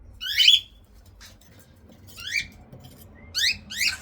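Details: Young cockatiels at feeding time give loud, rising, rasping squawks in separate bursts, one early and a pair near the end, with quiet gaps between.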